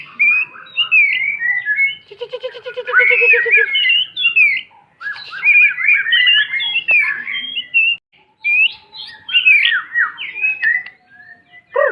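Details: White-rumped shama tutor song for young birds learning to sing: rich varied warbling of fast whistled notes, slurred phrases and a rattling burst, in phrases separated by short pauses.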